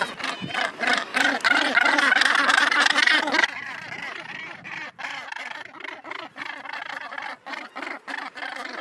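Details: On Helgoland, where Northern gannets have nested since 1991, a loud, fast string of harsh, buzzing croaks drops after three seconds to quieter, spaced rasping calls.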